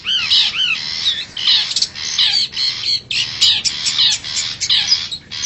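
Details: Wild long-tailed shrike forest lure call used to draw wild birds close: harsh, scratchy chattering phrases mixed with looping slurred whistles, delivered in short bursts separated by brief gaps.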